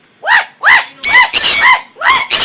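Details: Several pet Sun Conures, together with a Green-cheeked conure, give loud, harsh screeches in quick succession, each arching up and down, while making noise indoors.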